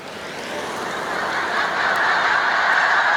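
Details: Large flocks of Snow Geese resting on Cayuga Lake, New York, during spring migration on 20 March 2021; a dense wall of overlapping high honks from many birds grows steadily louder across the clip.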